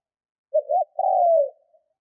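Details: Spotted dove trained as a decoy, giving its luring coo: two short stuttering low notes followed by a long, mellow, slowly falling croon in otherwise silent surroundings.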